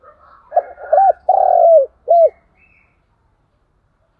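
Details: Spotted dove coo phrase meant to attract and stimulate other doves: soft lead-in notes, a short curved coo, a long buzzy drawn-out coo, a final brief coo, then quiet with a faint high chirp.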